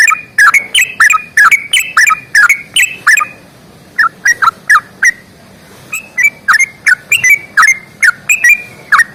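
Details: Long rapid 'ropel panjang' song of a sooty-headed bulbul, fighting style: steady runs of sharp, bright chirps with downward twists, about two per second, in two long bouts split by a brief gap.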